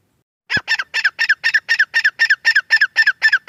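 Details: Francolin, local name teetar, giving a quick even series of short squawking notes, about four per second, after a sharp click at the start.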